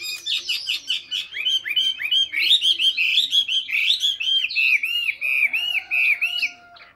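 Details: A captive Chinese hwamei (Garrulax canorus) in Hanoi, Vietnam sings a rich, fast run of varied whistles and slurred notes, then steadies into repeated arching phrases, several a second.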